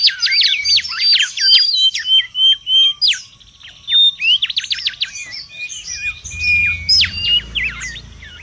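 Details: Wild mangrove whistler song, noisy and used as a lure and tutor: dense, high, scratchy whistled notes in fast runs, a quieter gap, then more rapid slurred phrases.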